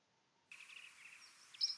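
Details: Eurasian blackcap (Sylvia atricapilla) full song: a quick scratchy chattering warble that starts grating, as if warming up, then brightens at the end into a few louder, clear fluty notes.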